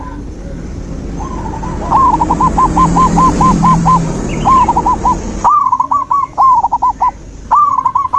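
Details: Zebra dove singing in a nature recording meant to restart a dove that has gone quiet: long runs of fast, evenly spaced cooing notes, first over a steady rural murmur, then clearer, brisker phrases after the background drops away.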